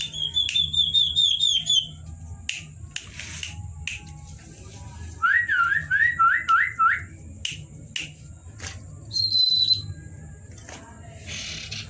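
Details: Night-time song variations of a Common Iora (cipow): a quick high trilled run at the start, scattered sharp clicks, then a mid-pitched series of five looping whistled notes and a brief high whistle near the end.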